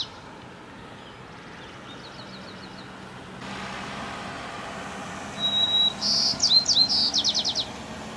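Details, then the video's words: A chickadee's morning song: a quick run of high, thin notes after a few faint chips, over a steady hum of distant traffic. "Chickadee morning song"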